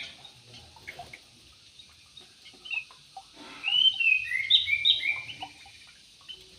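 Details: ['Yellow-vented bulbul in an aviary: a short cluster of bright, chirpy, slurred notes about midway, preceded by a few scattered faint chirps, against a quiet background.']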